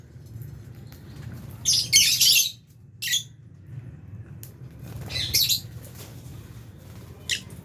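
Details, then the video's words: Aviary lovebirds, albino and Fisher's, at mealtime with budgies; loud, harsh, high squawks in a dense burst, a shorter squawk, then another screechy burst and a faint final note, with possible wing flaps. "Lovebirds Chirping Sounds"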